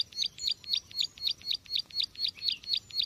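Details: Trapping lure call of a bar-winged prinia, a quick string of sharp high chips, roughly four each second, evenly spaced and unbroken.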